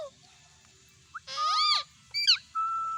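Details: Pet Indian ringneck parakeet talking: a soft short note, then a loud arched harmonic-rich syllable, a quick descending double note, and a steady held whistle to finish, with no other sounds around.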